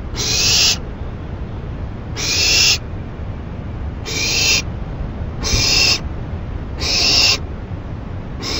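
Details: Late-night owl, May 28 2012, given a rabbit that it tears apart for a long time; six rasping, steam-like hisses of similar length, repeated about every one and a half seconds, steady faint rumble beneath.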